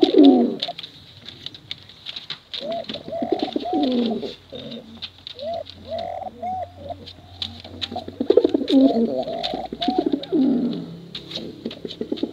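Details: Male and female competition pigeons, used to lure young birds, cooing: repeated deep rolling coos with short upslurred notes between them. Several bursts overlap, with faint clicks and light background noise.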